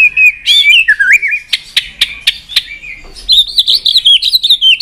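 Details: Excited White-rumped shama singing in fast, varied, sliding whistles, broken by a run of sharp clicking 'tạch' notes near the middle, then a bright, looping warble to the end.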